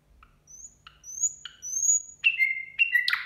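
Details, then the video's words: Nightingale singing at New Year, likely indoors; clear high drawn-out whistles alternating with lower sliding notes, ending in a harsh burst, phrases about every half second. "Соловей поёт на новый год."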